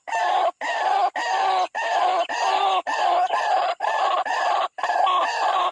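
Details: At a bird trap, a white-breasted waterhen attacking its rival gives long, harsh, nasal bursts about half a second each, repeated almost without pause in a steady loud rhythm.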